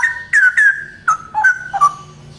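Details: Brief loud phrase from a male straw-headed bulbul: clear, slurred whistles sliding downward, then a few lower gurgling notes.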